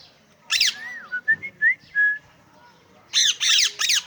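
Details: Pet parrot vocalizing: harsh broadband squawks, then a series of short clear whistled notes, some rising, followed by more loud squawks.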